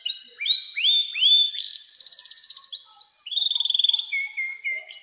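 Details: Canary giving long 'nembak' song, used to encourage young canaries to sing: several rising-then-level whistles, a loud buzzy fast trill, then a higher rolling trill and drawn-out level whistles.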